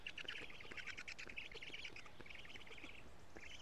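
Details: At a Karula, Estonia black stork nest on a June 2017 evening, caught by a live camera as big fish are fed, a hoarse stuttering call runs nearly nonstop, breaking off briefly before a final burst.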